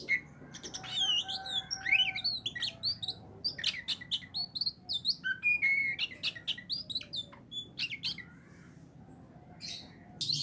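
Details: Oriental magpie-robin from Aceh in a training session, giving a busy run of varied chirps, whistles and rapid clicks with harsh notes mixed in, then a quieter pause and a final burst.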